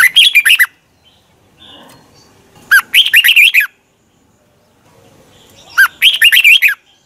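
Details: A red-whiskered bulbul sings during morning practice, loud clear bursts of rapid bubbling whistles, each phrase under a second, repeated about every three seconds against a quiet background.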